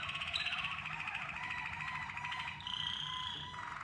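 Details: Waterslager canaries in song training, with bird combinations chosen for synchrony and harmony. Overlapping rolling, gurgling tours and a high whistled tone shift in pitch, ending in a bright sustained trill.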